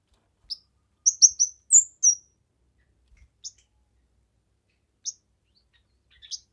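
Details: Kemade song for teaching other birds and attracting them: a quick cluster of high, bright chirps with sliding notes, followed by scattered single sharp calls.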